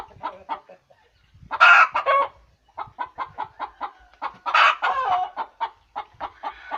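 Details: Laying hen's cackle: a few soft clucks, then two loud raspy squawks each followed by quick runs of staccato clucks.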